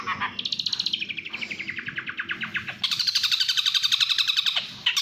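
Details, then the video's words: Long-tailed shrike, a national contest champion, delivering fast 'speed' song: quick runs of buzzy, rattling notes repeated almost four times per second, switching to a higher, shriller chatter midway. "Suara kicauan speed burung cendet/pentet juara nasional"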